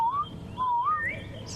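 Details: Southern Boubou gives clear, liquid whistles, a rising note then a longer swooping phrase climbing to a higher slur, over low rumble during a morning safari drive in Sabi Sands, South Africa, 5 November 2015; finding: Southern Boubou.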